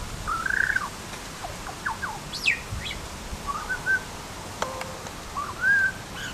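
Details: Butcherbird with mellow whistled phrases: an arched warbling note, sharp descending slurs, then short level whistles and a final rising-falling note, fairly quiet against a steady hiss.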